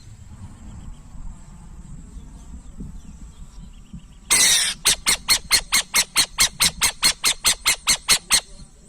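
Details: Burrowing owl: after a quiet low-pitched background, a loud rasping screech bursts out, followed by a steady series of about fifteen short, harsh, scratchy notes at roughly three per second.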